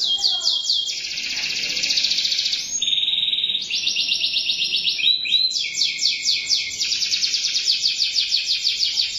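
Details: Canary in steady song, chaining rapid high trills of different textures, a brief pure whistled note, then pulsing buzzy rolls repeated at a fast, even beat.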